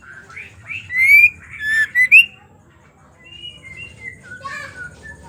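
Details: Female white-rumped shama's chattering song, used to stir males into singing: a few loud, rising and falling whistled notes in the first two seconds, then softer scattered whistles and faint low background noise.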